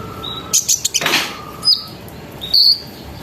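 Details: Sunbird calling as a lure for other sunbirds: a few thin, high whistled notes and a short scratchy burst, separated by quiet gaps.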